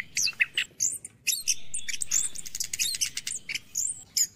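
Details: Orange-headed thrush singing in the morning for caged-bird stimulation: dense, fast run of high chirps, trills and twittering notes packed closely together, with steady low background noise.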